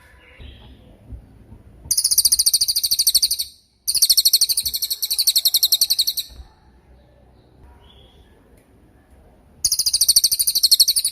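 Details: Long-running cililin song recorded as masteran for songbirds: repeated loud bursts of piercing high trills, each about two seconds of fast pulses, separated by short quiet gaps with faint chirps.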